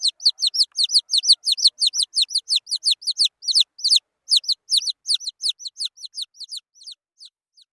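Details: Wild chicken chicks peeping: rapid, high, thin downward-sliding cheeps repeated about three per second in a steady run, with no other sounds.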